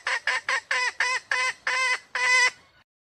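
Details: Wild female red junglefowl: a row of short harsh cackles that stretch longer toward the end, closing on a loud, drawn-out nasal note.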